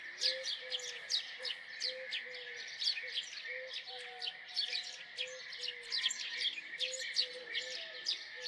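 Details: House sparrow giving a steady stream of sharp, high chirps in quick succession, with short, low, flat tonal notes repeating underneath throughout.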